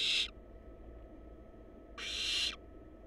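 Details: The tail of one harsh hiss, then another full half-second rasp after nearly two seconds: wild barn owl chicks in a research nest box, a quiet hum between calls.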